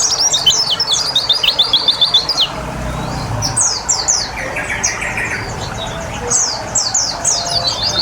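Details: Water therapy for a white-eye to get it singing: brisk high chirp series with pauses, faint lower warble midway, running water throughout.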